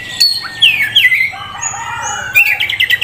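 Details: Oriental magpie-robin, a promising young contest prospect kept for sale, sings a lively mix of clear downslurred whistles, sweet warbles and a short buzzy rattle, with bright high phrases toward the end.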